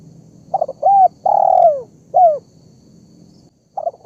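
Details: Lure call of a spotted dove, used to bring birds together: short coos, a long downward-gliding coo and a clipped final note, then a pause and a fresh start.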